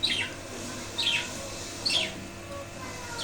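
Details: Budgerigars in a wooden cage after the male father budgie's death: three sharp, downward-slurred chirps spaced roughly a second apart, over a low, steady room hum.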